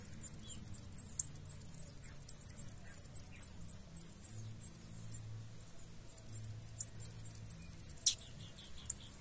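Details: A pair of blue-black grassquits (tiziu) caring for and feeding their chicks; thin, very high chips come in rapid bursts, go quiet for about two seconds midway, then start again, over a low steady hum.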